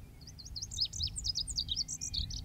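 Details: Male lazuli bunting delivering a continuous, rapid string of high, sweet, varied syllables, sharply rising and falling, sung clearly and loudly across the whole stretch with only a faint low hum beneath.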